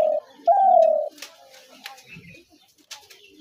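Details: Spotted dove call played as a dove trap lure: a short low coo followed by a longer, smooth, slightly falling coo, then quiet with faint clicks and rustles.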